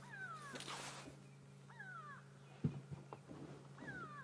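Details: Grey go-away-birds at dawn on 31 May in Djuma private game reserve give three drawn-out, nasal, down-sliding alarm calls about two seconds apart, apparently at a hyena, over a safari vehicle's low engine hum.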